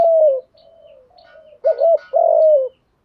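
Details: Spotted dove cooing, played so freshly caught doves start calling fast. A falling coo fades into soft murmuring, then comes a quick two-part hoot and a drawn-out, gently descending coo.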